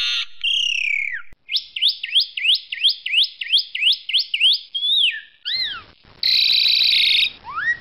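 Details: Asian pied starling (Sturnus contra) singing loudly for a master recording: a falling whistle, then about a dozen repeated sharp downward-flicking notes, more arched whistles, a harsh buzzy burst and a final rising whistle.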